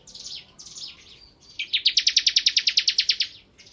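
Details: Bar-winged prinia (ciblek kristal) singing prolifically in ngebren style: a few high, slurred descending notes, then a fast rattling trill of about fifteen sharp, evenly spaced notes.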